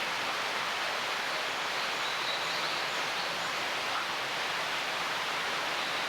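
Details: Steady rushing water, like a stream or waterfall, fills the whole recording with broad hiss and no animal voice standing out.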